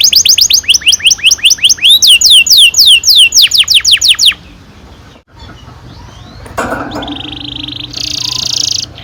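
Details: Canary in long rolling 'ngerol panjang' song, played to stimulate young canaries to sing: over four seconds of loud, fast, evenly repeated downslurred whistles, then a quiet gap and a softer buzzy trill near the end.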